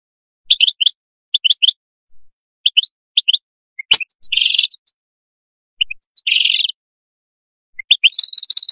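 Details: Canary giving paired short chirps at intervals, a sharp click, two dense buzzy rolled trills, and a final high, rapid trill in a sparse, broken phrase.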